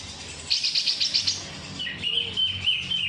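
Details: Greater green leafbird song in kapas tembak filling style: a quick run of bright chirps, then a short pause and clear, even whistled notes with a brief downslurred note, over a low background hum.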